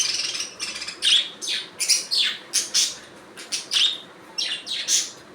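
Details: Budgerigar calls: sharp, separate chirps with rising and falling whistled inflections, about one each second, each note raspy and high, quieter chatter between them.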